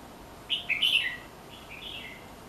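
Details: Red-whiskered bulbul singing near a house: a bright warbled phrase of quick whistled notes rising and falling, starting at about half a second, then a softer trailing phrase of slurred whistles.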